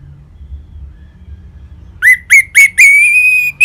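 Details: Orange-headed thrush song played to make caged birds sing: after near silence, a few upslurred whistled notes lead into a long, steady whistle, over a low hum.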